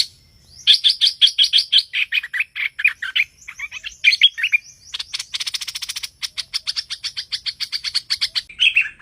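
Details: Lure recording of streak-eared bulbul for trapping: a rapid series of sharp high chirps, then a fast buzzy rattle of even clicks, ending on a lower slurred note.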